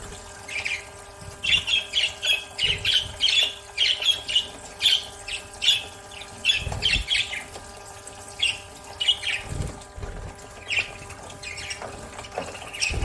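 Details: Pet budgerigars bathing, chattering in quick, scratchy warbles and chirps, with splashing water and a faint hum behind.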